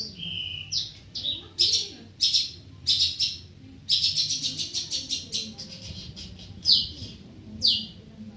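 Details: Long-tailed shrike singing: high, bright chattering notes in separate bursts, a whistled downslur opening, then a rapid run of scratchy repeated syllables and a few sharp isolated phrases, with low room rumble.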